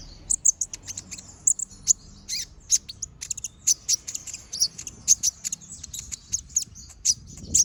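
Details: Brown-throated sunbird singing non-stop in a lively, chattering style with sharp bursts, used as a master recording for training other birds: rapid high, thin chirps and short trills in quick clusters, dry and sibilant, over a quiet background.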